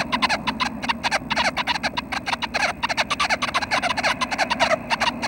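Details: Nuthatches at the nest around 6:30 in the morning on May 25, close to fledging; fast, continuous chatter of harsh clipped notes in tight clusters, rising and falling in loudness, with a soft background rumble.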